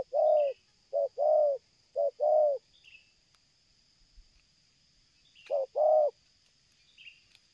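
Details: Spotted dove cooing strongly while approaching from a distance, during bird luring: low, mellow coo phrases of one short and one longer note, repeated about every second, with a steady high insect hum and faint chirps in the background.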